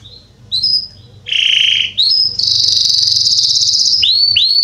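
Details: Belgian Salsa canary singing loudly, a bird kept as a model to teach young canaries to sing: a short buzzy phrase, a low rolling trill, then a long rapid high trill, ending in quick falling whistled sweeps; faint low hum beneath.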